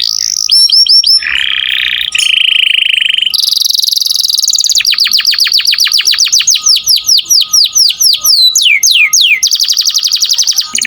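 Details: Canary song for training songbirds: short whistled notes, then steady buzzy trills, a long run of quick descending sweeps and a few looping whistles, delivered loud and without pause.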